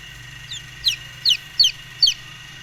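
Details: Golden Misri chicks brooding, peeping in four sharp, high, downward-slurred chirps spaced roughly every half second over a steady low background hum.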